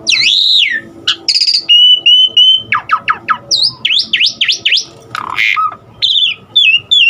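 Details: Asian pied starling delivering a varied song full of imitated elements: swooping whistles, fast descending sweeps, steady pure tones and short chirps in quick succession.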